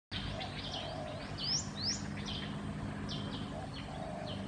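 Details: Black-headed bulbul at Sa Phang, Khao Yoi, Phetchaburi, Thailand, recorded in December 2020; short bright chirps and rising whistled notes scattered through the clip, two louder upswept notes near the middle, over steady low hum.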